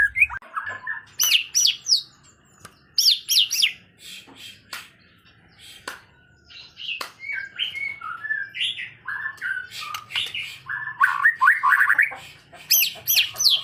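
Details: White-rumped shama in full, constant song, groomed for competition: long run of rich, varied phrases with fast rising and falling whistles, loud bursts separated by brief pauses.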